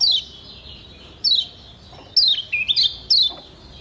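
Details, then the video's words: Lombok yellow white-eye (kecial kuning) tutor recording for training cage birds to sing: high thin descending chirps, spaced about a second apart, then a quicker run of chirps near the end. "Masteran Kecial Kuning PENYEGAR Ampuh Bikin Kecial SEHAT dan RAJIN BUNYI"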